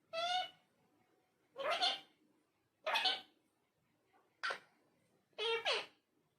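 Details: Talking parrot indoors giving five separate speech-like utterances, each a short, bright, harmonic syllable or pair of syllables, spaced about a second apart with quiet between them.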